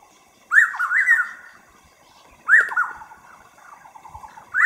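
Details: Taiwan scimitar-babbler calling: loud whistled phrases that rise sharply and then slide down into a rapid stuttering series of notes. Two main phrases about two seconds apart, with quiet gaps between them and a third phrase starting at the end.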